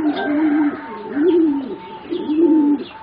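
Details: Juvenile zebra doves from competition singing stock, four birds roughly 3.5–4 months of age; clear low arched coos rise and fall three times in quick sequence over a faint steady higher tone.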